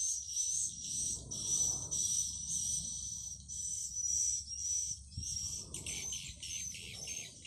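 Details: Swiftlet lure call played through an amplifier to attract swiftlets: dense high chirping twitter in continuous bursts with a steady whistled tone, pulsing roughly twice a second, over low hum and rumbling background noise.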